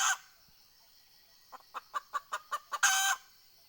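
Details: Decoy hen red junglefowl luring wild fowl, 20 April 2020: a harsh squawk, a pause, then eight quick, evenly spaced clucks that end in a loud, rasping cackle note.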